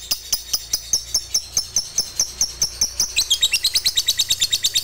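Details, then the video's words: Long ngekek chatter from a fighter lovebird, used to provoke other lovebirds into singing. Shrill clicking notes repeat steadily, then quicken and tighten into a faster rattling run near the end. "Dengar Fighternya Bisa Buat Lovebirdmu GACOR Rajin Ngekek Panjang"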